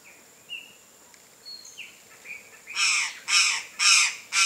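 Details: Chestnut-eared aracari, Pteroglossus castanotis, free in nature: soft thin whistles from other birds at first, then four loud grating squawks in quick regular succession.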